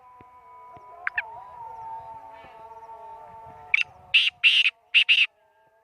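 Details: Black francolin calling while held on the hand: a run of loud, harsh, rasping notes in quick succession, broad and strong around the upper range, following softer faint sounds and a steady background hum.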